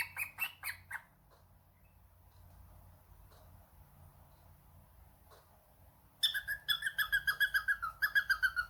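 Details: Household cockatiel answering a phone call: a few sharp chirps at the start, a long near-silent stretch, then a quick regular series of ringing, clear notes, about three per second.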